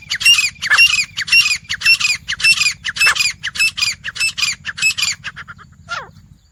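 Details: Grey francolin, a wild teetar, gives a long run of loud, harsh, ringing squawks at roughly two per second, then a brief pause and a single thinner, falling note at the end.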